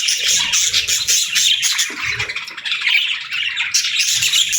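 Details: Several budgerigars in busy chatter, a steady stream of raspy chirps, trills and harsh squawks layered over one another, with a brief softer lull near the middle before the noisy warbling resumes.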